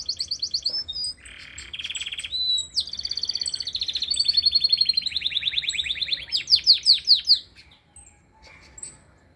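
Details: Canary song with varied rapid trills: a low buzzy stretch, then fast repeated high notes and a run of loud descending sweeps before the song breaks off into quiet.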